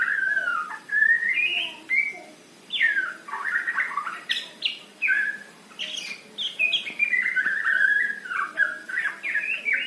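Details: Male white-rumped shama in full song, a fast varied run of loud whistles, trills and sharp chips with frequent jumps in pitch, broken only by brief pauses.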